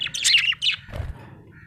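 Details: Small parrot chirping: two short bursts of bright, scratchy high chirps, followed by a low thump and a faint thin whistle.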